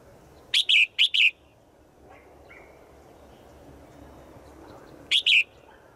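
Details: Female bird calling to a male in the forest, a call given every day; three quick bright high chirps in the first second and a half, then a pair of similar chirps near the end, over a quiet hiss.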